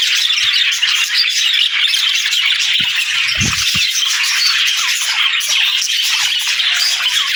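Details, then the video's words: Parakeets chattering in a thick, unbroken mass of shrill chirps and rasping squawks, joined by a brief rattling thump near the middle. "Budgie Talking | Parakeet Singing"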